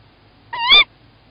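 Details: Tawny owl (Strix aluco) in Estonia, 1 April 2018 at 20:31, during nesting with one egg so far; a short, nasal, wavering call of about a third of a second, rich and slightly harsh, given as the female leaves the nest; otherwise near silence.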